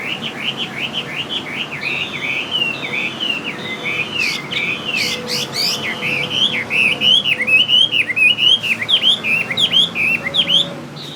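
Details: Fighting Chinese hwamei of Northwest Vietnam stock, kept in Saigon, delivers a long rich run of rapid, varied whistled notes, wavering up and down, speeding into clipped repeated phrases toward the end, over faint low background hum.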